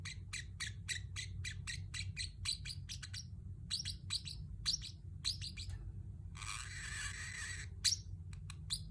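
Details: Pet Pacific parrot chirping in quick high notes, then a harsh buzzy burst of about one second, then more chirps, all over a faint low hum.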